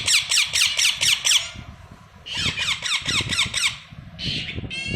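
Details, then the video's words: Baby parrots chirping in bursts of rapid, evenly spaced raspy squeaks, about six notes per burst, with pauses between groups and a faint low rumble underneath. "Baby parrots chirping"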